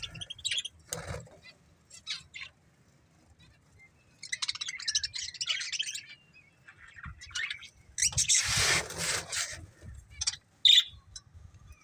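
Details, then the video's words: Budgerigars of a breeding pair give sporadic chirps, then a stretch of soft warbling chatter and a loud harsh burst of dense squawking, ending with isolated sharp squeaks. "Cute Budgies Chirping Sounds"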